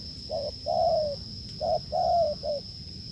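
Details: A wild field spotted dove cooing hard while a decoy is tested: two low phrases of a brief note, a drawn-out slightly descending coo and a short closing note, over a constant high thin tone.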